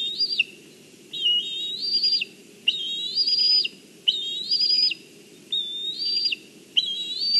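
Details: High, quavering whistled calls of a juvenile black kite on a branch in Kurzeme, Latvia, 14 July 2023, when its mother arrives with fish; six or so wavering notes follow one another in a steady, insistent run.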